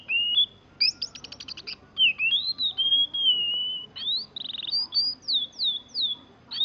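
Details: Caged young oriental magpie-robin imitating a canary's rolling song: an opening rapid high trill, then long level whistles, a short buzzy stutter and a series of sharp downward-sweeping whistled notes.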